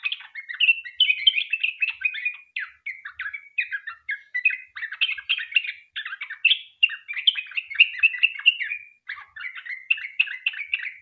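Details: Softer sooty-headed bulbul 'ropel panjang' song, a lure so that other bulbuls join in; long flowing chatter of varied bubbly notes with short gaps, clean background.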